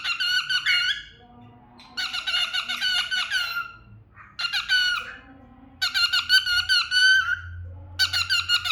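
A cockatiel sings in bursts of bright, harmonic warbles and chirps, recorded indoors.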